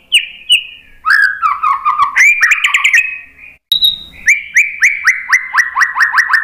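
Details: Song of a white-rumped shama, played to set other birds singing: varied whistles and low warbled notes, a short gap, a high thin tone, then a steady run of repeated slurred notes.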